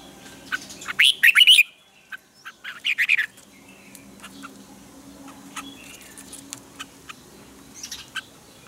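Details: A red-whiskered bulbul gives its morning lure song in the twisted double-note style. Loud bursts of warbled notes come early, a softer phrase follows, and sparse clicks and chirps trail off.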